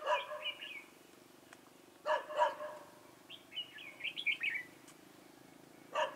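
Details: Red-whiskered bulbul used as a decoy for trapping, recorded 4 February 2018 in Vietnam; short warbled, fluty phrases with brief rising and falling notes, between louder harsh chattering bursts.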